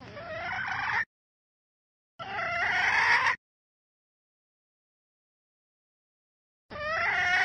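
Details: Red junglefowl hen calling to rouse the cocks, heard as three bursts of a long, harsh, slightly rising drawn-out note, each cut short and separated by silence.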